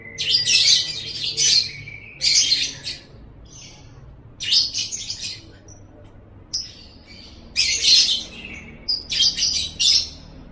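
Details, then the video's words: Lovebird song in separate shrill, buzzy bursts of chattering, each a second or so long with quiet gaps between, from a tutor recording for pet lovebirds. "Masteran Suara Burung Love Bird 7"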